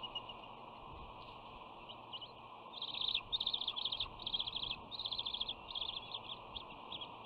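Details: Bald eagle sisters at the West End nest on 13 June 2019, one pinning the other's wing during an unwelcome greeting: a few thin notes, then rapid high chittering bursts in quick runs over steady background hiss.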